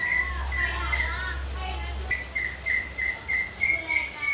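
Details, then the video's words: Leafbird, known locally as murai daun kuningan, giving a series of short whistled notes repeated about three times a second, with a low hum early on and faint background noise. "murai daun kuningan"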